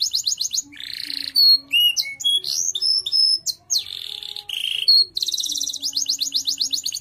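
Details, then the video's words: Canary song, of a kind described as fit for singing contests and for tutoring other birds: a varied, continuous mix of rapid high trills, clear whistled notes and buzzy phrases, with a fast rattling trill at the start and end. "KENARI GACOR"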